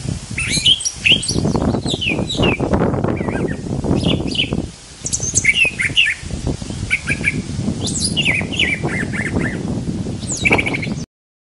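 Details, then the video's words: Brown thrasher singing a long run of varied phrases, quick sweeping and chirping notes in changing patterns with brief pauses, over constant loud low rumbling and handling-like noise. "Brown Thrasher, Burung Dengan 1200 Jenis Lagu"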